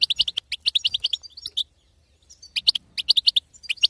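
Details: Batbata chatter of a female European goldfinch, played to get a male singing: quick strings of sharp, high twittering chirps, a short lull, then another dense burst of similar notes.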